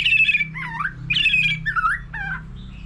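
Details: White-rumped shama in contest song with many varied phrases: a bright descending buzzy trill, a low swooping slur, repeated, then shorter notes, with a steady low hum behind.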